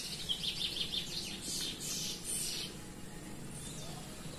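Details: Chestnut-bellied seed finch singing loose in the Belém song style: a quick run of clear, high whistled notes, then a few rougher, buzzier phrases, over a steady low background rumble.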